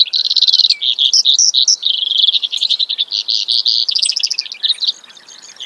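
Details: Continuous canary-like trilling by a Brewer's sparrow, with high notes repeated rapidly and changing pitch from phrase to phrase, ending in a faint tail.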